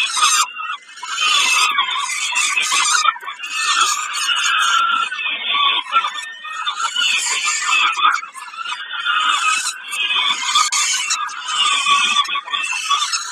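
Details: Peregrine falcon at Kawęczyn during a snack on 20 May 2022; harsh, grating screeches run almost without pause, in rough bursts with short breaks, loud and raspy throughout.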